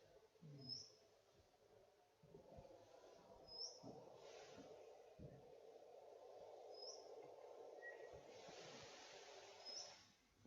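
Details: Golden whistler; contact call; keeping in contact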